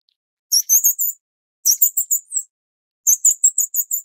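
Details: Grey-cheeked fulvetta (Alcippe morrisonia morrisonia, Taiwan endemic subspecies) chicks begging while being fed: three quick bursts of thin, very high squeaky notes, three to five notes each, about a second apart.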